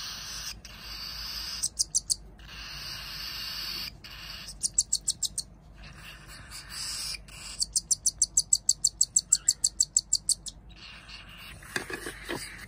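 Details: Hand-fed cockatiel chicks, two siblings hatched the same day, begging for food: bursts of fast, harsh, raspy pulses, about three per second, in runs of five to fifteen, separated by pauses and handling noise.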